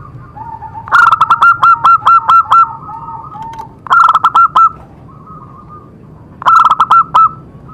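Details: Zebra dove (perkutut) song used as training therapy to make other doves respond: three loud bursts of rapid, clipped staccato coos, six to eight notes each, with softer steady cooing between bursts.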